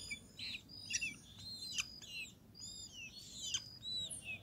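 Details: A family of great kiskadees feeding at a feeder in an acerola tree in Brazil gives a busy run of shrill, arched chirps and sharp notes that overlap from several birds, with a faint rural hum underneath.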